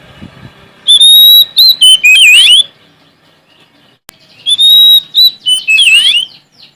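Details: Sumatran Oriental magpie-robin challenging rivals with loud song. Two phrases each open on a sustained high whistle, then break into quick, tumbling, downward-twisting notes, with a silent gap between them.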